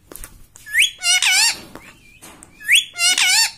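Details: Domestic parrot says "mummy" twice in quick succession. Each utterance starts with a rising whistled syllable, then a buzzy, harmonic, drawn-out note, over a quiet room background.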